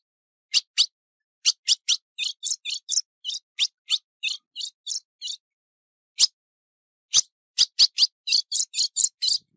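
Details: Calling female ultramarine grosbeak in breeding condition, recorded 15 June 2019: paired sharp chips, a rapid chattering series of buzzy high notes, a silent gap, then another fast run of chips. No other sounds.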